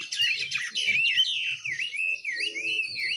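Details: Juvenile oriental magpie-robin practising ngiriwik, the rambling twitter of a young bird learning to sing: fast continuous warble of wavy slurred whistles, dense at first, then looser rising-and-falling loops, with faint low knocks beneath.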